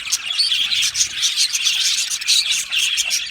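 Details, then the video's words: Colony of caged budgies chattering together, overlapping bright chirps and buzzy warbles packed tightly with no pauses, a few sharper tweets standing out. "Beautiful Budgie singing and chirping sounds"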